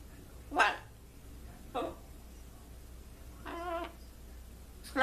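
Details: Pet blue-and-gold macaw, well trained, greeting and imitating words such as "hello" and "what's up" as well as crying; four brief voice-like utterances, one long with a wavering, sob-like tone.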